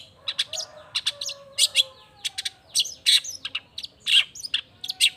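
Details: Long-tailed shrike in an energetic lure song to prompt other shrikes to reply: scattered scratchy chirps and buzzy squeaks in irregular bursts, some with thin whistled tails, a low faint hum in the background.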